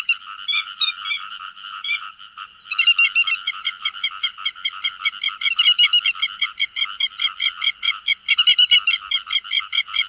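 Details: Grey-headed lapwing calling to gather the flock, for netting by night and day: a few scattered harsh notes, then a long, rapid, regular series of sharp ringing calls building in loudness.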